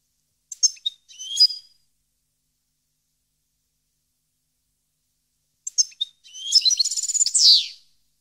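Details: 2015 recording of a parva goldfinch: scattered high chips and a twittering phrase, a long pause, then a lively rush of tinkling notes into a rapid trill ending in a downslurred buzzy note.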